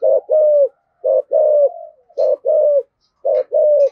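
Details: Spotted dove with a 'giọng thổ' voice giving urging coos meant to stimulate wild doves to respond. Three low, mellow pairs: a short clipped note, then a longer drawn-out coo that falls slightly at its end, spaced about a second apart.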